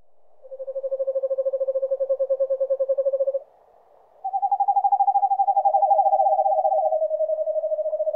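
Eastern Screech-Owl giving a steady, low, rapidly pulsed trill for three seconds, then after a pause a higher quavering whinny that slides gently downward.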